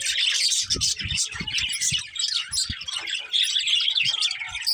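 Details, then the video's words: Budgies chirping: busy overlapping high chatter and sharp squeaks, several birds at once, over a series of low bumping sounds in the first half. "Cute Budgies Chirping Sounds"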